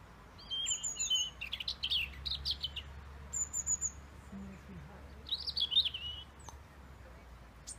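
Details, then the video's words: A European robin in Roslin Glen sings thin, high, tinkling phrases that jump quickly in pitch, broken by short pauses, over a faint low hum. "robin singing his heart out"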